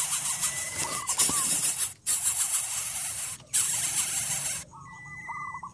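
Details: Coucal chicks in the nest, refusing the large food a scolding parent has brought, give loud, harsh hissing bursts that break off twice; faint higher whistles and a wavering trill sound in the background.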